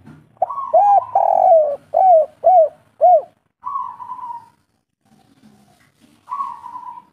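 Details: Kuk 3 song of a local spotted dove: a long full coo followed by four evenly spaced arched coos, then two drawn-out level notes separated by near silence.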